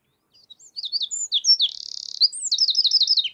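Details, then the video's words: Eurasian wren singing in Baie d'Audierne, Finistère, Brittany, France, between late April and early May 2022: a loud, high, rapid outpouring of notes, with a fast rattling trill in the middle and a quick warbled run at the end. "TROGLODYTE MIGNON (Troglodytes troglodytes) Chant"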